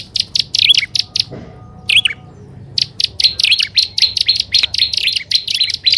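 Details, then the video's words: Grassland prinia combined with upper and lower prinia as a lure: separate sharp high chirps, a pause, then a steady quick series of pulsed notes over a faint thin tone. "SUARA PIKAT BURUNG PRENJAK ALANG ALANG+PRENJAK ATAS DAN BAWAH"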